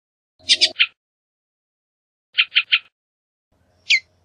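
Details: A Bullock's oriole gives short, harsh, chattering notes, two quick groups of three, then a single sharp slurred note.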